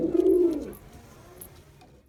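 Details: Male Girabaj pigeon performing: a single deep, throaty coo lasting under a second, then near quiet.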